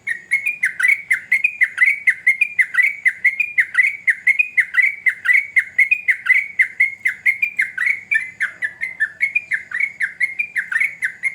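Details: Sooty-headed bulbul in full 'gacor' rolling song that should set other bulbuls answering: an unbroken eleven-second stream of quick bubbly whistled notes, repeated about one per second in clusters, strong and clear.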